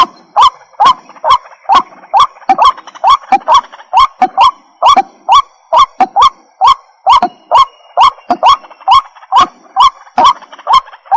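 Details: White-breasted waterhen calling: harsh, croaking notes repeated in a steady, insistent series about twice per second, each note a loud broadband burst, continuing unbroken throughout with no other clear sounds.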